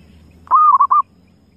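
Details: One brief phrase from a wild zebra dove: a drawn-out mellow coo running into two quick rounded notes, all at a steady mid pitch, with a low hum behind.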